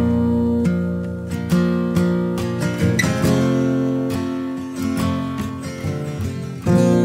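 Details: Acoustic guitar music with plucked and strummed chords, sustained notes ringing between strums, and no animal sounds.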